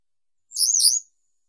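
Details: One drawn-out, thin, wavering high note from a Western yellow wagtail, lasting about half a second, with no other sounds.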